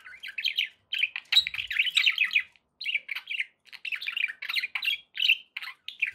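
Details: Happy pet budgies chirping and chattering: busy warbling strings of short scratchy notes, nearly continuous, broken by brief pauses around three and a half seconds, indoors.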